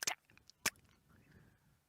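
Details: A European Bee-eater beats an insect against a perch to make a stinging prey harmless, heard in the distance as two sharp, dry knocks about half a second apart over a faint outdoor hiss, at Djuma private game reserve, South Africa.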